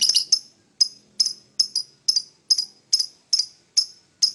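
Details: Lovebird in the morning giving short sharp high chirps, about two or three a second, in a steady series with brief pauses between notes.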